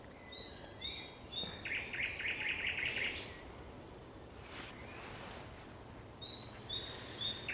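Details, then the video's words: Thrush nightingale singing at sunset on 30 May 2021: high thin whistles lead into a fast run of about ten repeated chattering notes, then a pause and more high whistles. "Śpiew słowika szarego przy zachodzie Słońca"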